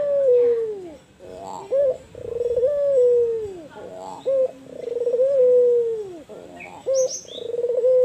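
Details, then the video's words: Albino white spotted dove calling actively, giving low drawn-out coos that sag and fall, broken by short accented notes, the phrase coming round roughly every two to three seconds in a quiet setting. "Burung Puter Albino kuk Besar"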